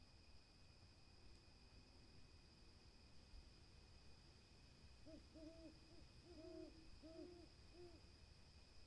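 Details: Owl calling at night-quiet: roughly five seconds of hiss give way to a burst of short, rounded, hollow hoots, several closely paired, while a continuous high whine and low rumble persist throughout.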